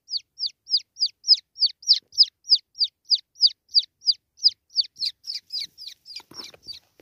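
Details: Jungle francolin chick held after capture. It gives a rapid run of sharp, high, falling peeps at about three per second, with rustling and handling noise near the end.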